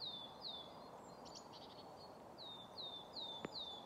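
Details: Willow tits singing on 10 March 2024 at Grandungen, Haga, Sweden: a series of clear, high, down-slurred piping notes about two per second over steady hiss with faint chirps; their contact calls were not captured.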